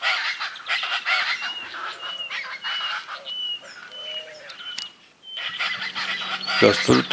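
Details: Chaco chachalaca (charata) giving powerful calls, heard all along a route in Córdoba, Argentina from inside a car: harsh, noisy raucous bursts, a brief lull near five seconds, with clear repeated whistled notes from another bird.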